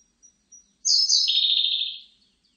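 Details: A Siberian blue robin gives several faint, high, thin notes, then bursts into a quick rattling trill that starts higher and steps down in pitch, holding for about a second before tailing off.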